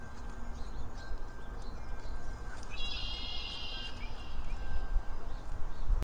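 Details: Red-headed Woodpecker at a backyard feeder in Schaumburg, Cook County, Illinois, on 1 May 2024 gives one harsh, raspy call lasting about a second, over steady low wind rumble and a few faint distant chirps.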